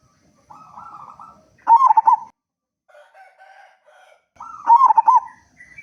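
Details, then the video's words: Local zebra dove, a loud, frequent singer, recorded to lure other doves: soft cooing notes, then two loud bursts of fast, rolling, stuttered coos about three seconds apart, with quiet coos between them. "Perkutut Lokal Gacor Suara Besar Pancingan Burung Perkutut Agar Cepat Bunyi"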